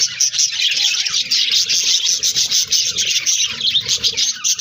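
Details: Aviary budgerigars chattering as a flock: bright, busy warbling and sharp chirps overlap continuously, rising and dipping slightly in loudness.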